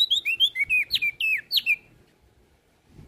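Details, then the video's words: Olive-backed tailorbird singing actively, recorded as master song and lure for training songbirds: a quick run of sharp, slurred whistled notes, some falling and some rising, repeated rapidly for about two seconds before fading to quiet. "Burung Prenjak Daun Gacor Isian Pas Buat Masteran dan Pancingan Opior Jambul Macet Bunyi"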